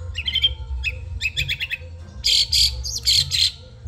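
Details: Caged Long-tailed shrike of the Madura type in a training recording for teaching songbirds: rapid chattering twitters and short whistled notes, building into dense, loud buzzy bursts repeated several times a second, low rumble underneath.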